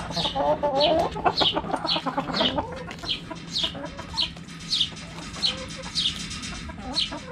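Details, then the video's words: Backyard hens around a cabbage cluck busily for the first few seconds, a fast, warbling murmur, then quieten while high falling chirps continue at an even pace. "Chicken Sounds Noises Hens Clucking Roosters Crowing!"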